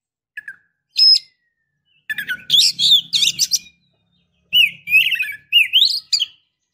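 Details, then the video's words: Female Oriental magpie-robin calling to a male, in the wild, to rouse him or seek mating: sparse clear whistled notes, then bursts of varied rich chirps and rising slurred whistles in separate phrases, with a faint low hum beneath. "KACER BETINA Memancing KACER JANTAN"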